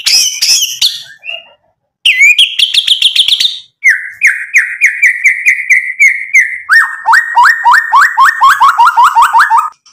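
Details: White-rumped shama song meant to provoke rivals: after high chips and a pause, long runs of repeated clear whistled notes, first steady, then each sliding downward, delivered about six per second.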